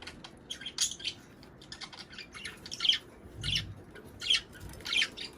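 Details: Budgerigar chatter meant to encourage pairing and egg laying: scattered short, scratchy, high chirps and squawks in irregular bursts about a second apart, over a faint low background hum.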